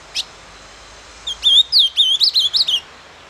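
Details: A captive-bred ultramarine grosbeak sings the "doce amargo" song: a single sharp chirp, then a quick phrase of about eight clear, warbled whistles sliding up and down, in a quiet setting.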